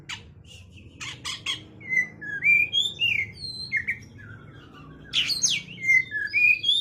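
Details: Oriental magpie-robin calling a rival: bursts of harsh high chirps, then a string of clear slurred whistles that rise and fall, and a second burst of sharp chirps with whistles near the end, over a low background hum.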